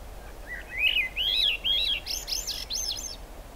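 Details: Swainson's thrush singing in the rain at the Squamish River Estuary on July 6, 2022: a fluting phrase of breathy whistles spiralling upward in quick loops, climbing higher with each turn, over steady rain hiss.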